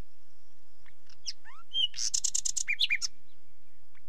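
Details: Nightingale singing a varied phrase: a thin high whistle, rising slurred notes, then a quick run of sharp, harsh high strokes ending in lower chopped notes, with soft low rumble beneath.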